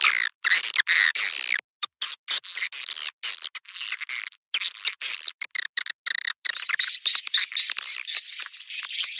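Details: Swiftlet calls played back as a lure to draw swiftlets into bird houses: bursts of high, dry chirps broken by short silent gaps, twittering faster toward the end.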